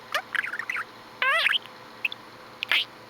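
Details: Pet budgerigar chattering indoors: a few scattered warbled chirps, one buzzy stacked squawk, then brief high tweets separated by quiet gaps.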